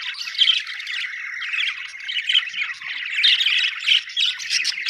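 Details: Lively budgie chatter from a group described as happy: pulsing bursts of squawky, warbling chirps that rise and fall about once a second.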